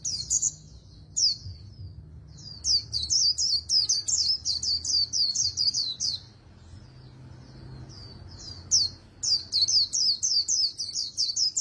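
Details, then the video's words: Oriental white-eye from Vietnam, trained in the super-fast 'líu đấu' contest song with magpie-robin-like voice: long sequences of rapid, high, slurred whistles, one short pause, then another quick run. "Luyện Giọng Vành Khuyên Líu Đấu Siêu Nhanh | Khuyên Líu Kích Bổi | Khuyên Líu Giọng Chòe Chuẩn"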